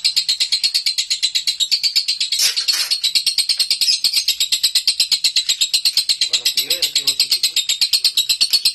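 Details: Home-kept lovebird singing in the nonstop konslet style: rapid, shrill, high chattering chirps at about three per second, run together without pause for the whole stretch, with a brief louder burst midway.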